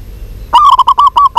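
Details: Close, loud stuttering coo from a local zebra dove, a female calling to a male: a quick run of about seven hollow, evenly pulsed notes after a brief quiet start.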